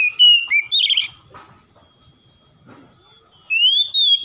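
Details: Kacer, or oriental magpie-robin, singing to spur a reluctant bird into song: a burst of sweet whistled notes with a short buzzy note, then about two seconds of near silence before another bright rising whistle.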